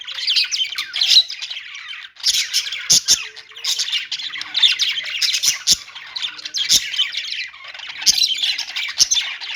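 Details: Chirping budgerigars producing a rapid, overlapping stream of squeaky, buzzy notes and harsh squawks in pulsing waves, with a few crisp clicks.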